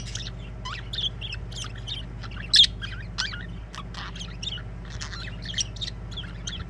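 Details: Singing budgies produce a busy warble of high chirps, squeaks and brief rising notes with one sharper squawk, all over a constant low droning hum.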